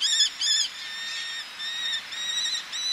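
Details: Eleonora's falcon colony by the sea, a male and females calling from ledges: two sharp kek notes, then thinner drawn-out whining calls that overlap, with quieter distant notes.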